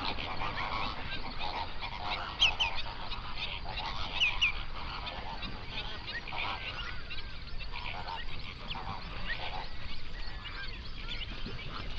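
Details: Flamingo flock of hundreds on an Overberg lake, South Africa, at sunrise, captured in binaural sound: a steady wash of nasal chattering honks, with a couple of sharper, higher calls standing out early, over low rumble.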